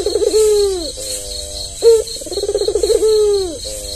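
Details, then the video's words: Tame white albino Barbary dove with red eyes, kept to train other doves to call; a trilling roll ending in a long falling coo, a sharp accent note, then another trill and coo. "Suara puter kombinasi puter terbaik"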